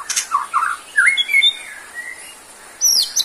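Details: White-rumped shama song for birds lacking stamina: short mid-pitched chirps, then a long thin wavering whistle and a sharp high note at the end.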